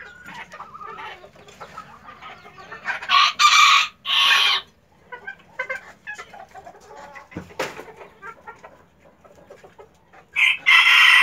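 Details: Hen laying an egg gives scattered soft clucks and several loud, harsh, drawn-out squawks in bursts, with quieter murmuring between them.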